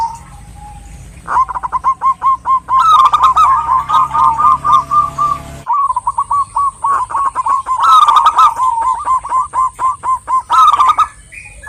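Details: Female zebra dove of the local type calling for a male: long, steady trains of quick coo notes, about two per second, swelling into louder, rolling phrases, with a thin constant electronic whine above.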